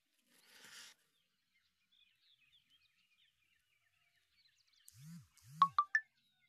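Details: Black francolin, the Sindhi kala teetar, calling at 5:35 in the morning on 28 May 2024. After a brief rustle and faint distant chirps, three loud, harsh, clipped notes in quick succession, with two low arched sounds just before them.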